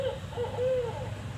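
A Barred Owl gives a short run of mellow, arching hoots, part of its 'who cooks for you' phrase, over a low indoor hum.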